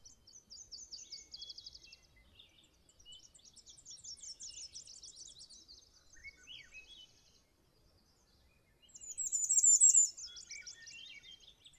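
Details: Bay-breasted Warbler singing on territory in boreal forest in Maine while preening: very high, thin notes repeated rapidly in short series, with other softer, lower chirps and trills from other birds in between.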